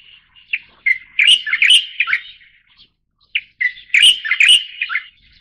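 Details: Light-vented bulbul (Pycnonotus sinensis formosae) gives two bright, jumbled bursts of chirpy, warbling notes, each about two seconds long, separated by a brief pause, against a quiet background.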